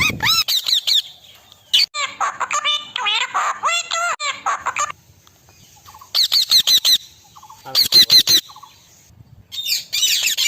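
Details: Indian ringneck parrot talking, with bursts of harsh, harmonic squawks and speech-like warbling phrases, some rising and falling, broken by short silences over ten seconds; a faint whistle runs in the background.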